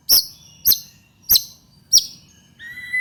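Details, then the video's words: White-rumped shama, sounds used to stimulate other shamas to sing: four sharp, high chip notes about every 0.6 seconds, followed by a clear, steady whistled note. "SUARA BURUNG MURAI BATU GACOR"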